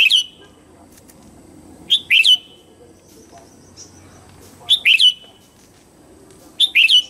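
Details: Morning song of a red-whiskered bulbul, meant for training young white-cheeked birds: four brisk, liquid warbled phrases of two to three slurred notes each, given at irregular gaps of two to three seconds.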